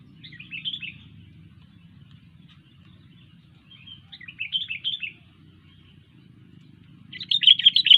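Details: A sooty-headed bulbul sings three separate chattering phrases of quick warbled notes, spaced a few seconds apart. The last phrase is the loudest and most rapid, over a faint low hum.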